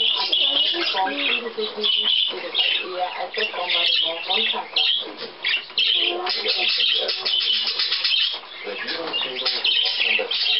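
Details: Hand-tame budgerigars with their keeper, recorded 14 May 2010, keep up a dense, continuous chattering warble of scratchy squawks and rapid chirps, while a person's voice murmurs low underneath.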